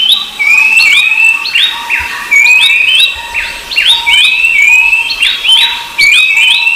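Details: Rufous-browed babbler giving a steady run of high whistles. Each note slides up, then holds level, and phrases repeat roughly twice a second over faint background hiss.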